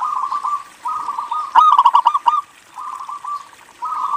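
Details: A local zebra dove used as a lure for other doves gives short, rolling purred trills, then a loud burst of quick, clipped coos in the middle, followed by softer trilled phrases.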